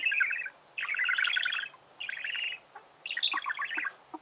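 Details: Budgerigars sing four compact bursts of fast, squeaky, chattering notes, each lasting half a second to a second, with short quiet gaps between them.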